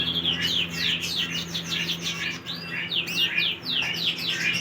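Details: Canary singing, recorded August 2, 2025: a continuous flow of sweeping, rolling whistles and slurred notes, rising and falling rapidly, over a steady low electrical hum and background noise.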